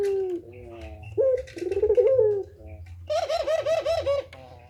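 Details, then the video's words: Deep, mellow coos from a pelung turtle dove, beginning with a low steady note, then a rolling throaty phrase, and finally a louder, fast-pulsed bubbling coo. "suara burung puter pelung gacor tak terbendung2"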